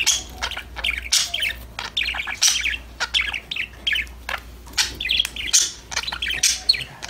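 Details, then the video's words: Budgies chirping, singing and chattering together: a dense stream of short, bright warbled chirps and squeaky notes in quick bursts with brief pauses, several birds overlapping, a low steady hum underneath. "Your #budgies will start chirping, talking, playing after listening these #parrot #bird sound"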